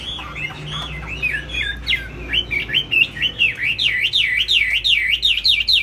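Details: Tail-flapping caged laughingthrush in high song: jumbled whistles and chatter at first, then a loud, even series of swooping V-shaped whistles repeated roughly twice a second, building in strength.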